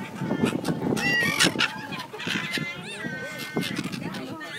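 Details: Brown-headed gulls in breeding plumage at Bang Pu on 12 April 2012, ready to fly back and pair up: harsh, arched, nasal calls break out at intervals over a steady murmur of human voices and low background rumble.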